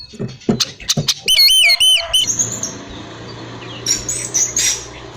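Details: Kacer, oriental magpie-robin, whistling so other magpie-robins answer: short clicks and chirps, then a loud burst of repeated wavering whistled notes for about a second, then faint high chirps.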